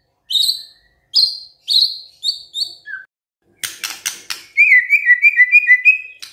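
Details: Energetic gacor song of a white-rumped shama: five clear downslurred whistles spaced about half a second apart, a low note, a burst of harsh rasping notes, then a fast trill of whistles.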